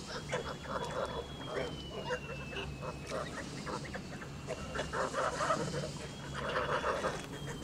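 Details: Male Kholmogory goose of 2 months 26 days, white plumage, on a farm; irregular nasal honks and gabbling come in clusters, loudest toward the end, over a continuous high whine and low hum.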